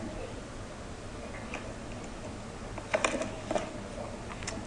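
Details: Quiet room tone broken by a few sharp mechanical clicks and taps, with no animal voice.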